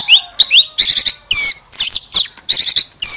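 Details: Singing Oriental magpie-robin, tail spread, used as a decoy: rising whistled slurs alternate with harsh, chattering bursts and clear downslurred whistles, phrases separated by brief gaps.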